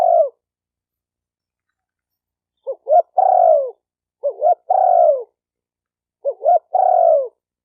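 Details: Cooing of a spotted dove meant to excite decoy, male and female birds: after a clipped ending, a pause, then three phrases of two short rising notes and one long, mellow, downward-sliding coo, roughly every 1.8 seconds.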